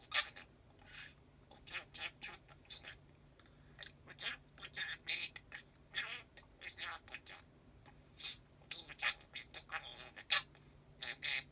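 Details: Pet parakeet indoors chattering nonstop in the dark after the lights go off; it falls silent when the light is on. Quiet, scratchy, babbling bursts of varied short notes come in quick irregular runs with brief pauses.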